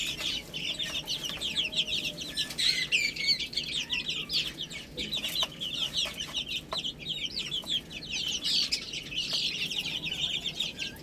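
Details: Several chicks feeding on spinach keep up a busy chorus of shrill, rapid peeps, each a quick falling note, overlapping without pause, with soft clicks of pecking in between.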